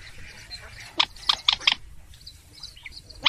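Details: Purple swamphen 'trích ré' lure call: a quick series of four loud, rasping shrieks near the middle, then scattered quieter nasal notes and a final sharp squawk.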